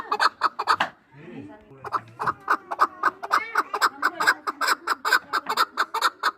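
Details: Two-year-old hunting chukar partridges from Norak calling: a steady run of short, harsh clucking notes, about two per second, with a brief patch of a man's voice and softer sounds early on.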